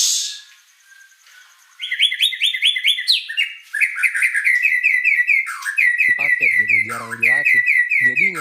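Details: White-rumped shama delivering a long, fast song of rapid repeated warbling notes and steady rattling trills, with human speech beneath the later part.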